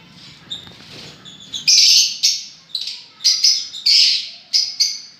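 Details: Lovebirds enjoying themselves give a rapid string of sharp, shrill, rasping shrieks in short bursts, some overlapping, after a soft opening.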